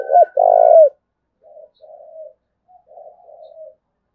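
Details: Spotted dove from Dong Nai, Vietnam, with 'thúc bổi' calling: a loud short hook and a long low coo ending in a downward curl, followed by quieter distant cooing notes.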